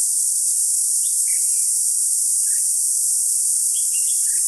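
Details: Decoy red-whiskered bulbul, trapping session of 21 July 2016, giving a few short chirped phrases early and a quick cluster near the end, with a loud continuous insect drone behind.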